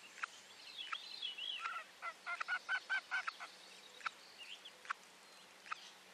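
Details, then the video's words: Nesting female common loon on a lake platform sounding an alert on 9 July 2023 as her second chick hatches and the first returns from a swim, nest camera. A short run of rapid, evenly spaced quavering notes, with other birds' chips around. "Mom Alerts"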